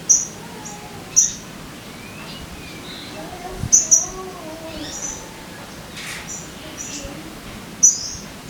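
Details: Sogon song used as a lure to get caged birds singing: sharp, very high, bright chirps repeated at irregular intervals of about one to three seconds, with faint lower whistles and background noise between them.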